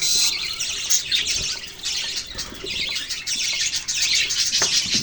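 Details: Budgerigars chattering in a dense, continuous stream of high, scratchy chirps and warbles, with many voices overlapping and little pause between notes.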